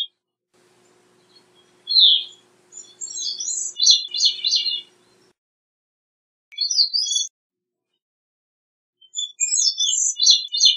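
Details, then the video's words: Gray-cheeked thrush song: a sharp high note, then a long buzzy, fluttering phrase sliding down, with two more thin phrases after long pauses; a faint low hum runs underneath early on. "Gray-cheeked Thrush Singing, Sound, Calling, Chirp - Zorzalito Carigrís Cantando"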